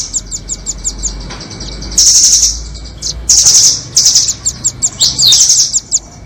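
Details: Nuthatch lure audio featuring doraemon and red-billed birds: begins with a row of quick regular high chips, then loud sustained shrill trills around two and three seconds, ending with more chips and a short trill.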